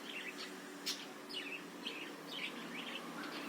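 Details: Chattering budgerigar warble, played to provoke other birds into song and sharpen their spirit: quick rising and falling chirps about twice a second, one sharp click early on, steady background hiss.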